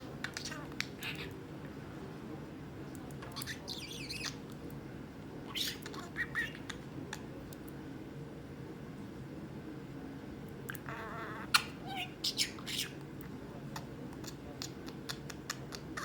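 A pet budgerigar chatters in a scratchy voice, mixing mimicked words with squawks and chirps.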